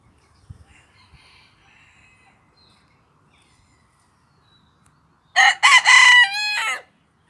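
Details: Cochin rooster crowing in a park: after about five seconds of near quiet with faint distant sounds, one loud, harsh, harmonic crow of several syllables, ending in a wavering drawn-out note.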